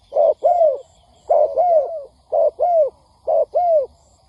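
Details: Lure recording of a spotted dove for trapping wild birds: a short coo followed by a longer, descending coo, the pair repeated roughly once a second, with a faint high hiss behind.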